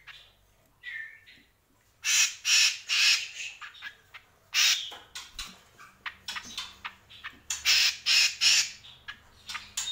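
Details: Greater green leafbird, the cucak kombo, delivering a rapid series of loud, harsh, scratchy notes, packed in quick succession after a brief whistled opening, with a faint low hum behind.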